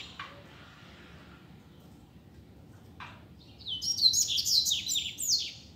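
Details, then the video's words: Loose double-collared seedeater performing in the street, a tutor song for learners: after a quiet stretch with a couple of faint clicks, a rapid run of sharp, high descending whistled notes and trills for about two seconds. "COLEIRO SOLTO NEM SABE PRA ONDE VAI!!! Dando Show na Rua!!! - Coleiro Professor Aprendizado"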